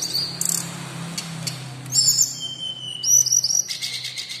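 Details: Local, actively singing caged brown-chested jungle flycatcher used to test other birds' mettle: thin high whistled notes and short trills, some level and some sliding, separated by pauses, over a faint low hum.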